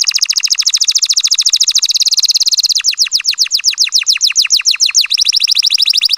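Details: Breeding-season canary song meant to spur mating: a steady very fast trill of high notes, changing to slower, clearer descending sweeps, then a fast trill again.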